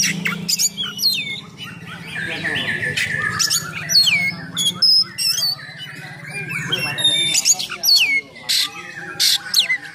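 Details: Magpie-robin song in full 'nembak' style with harsh 'isian kasar' fill-ins, aimed at provoking and training other magpie-robins; repeated falling whistles and rasping notes come in bursts, over a steady low droning hum.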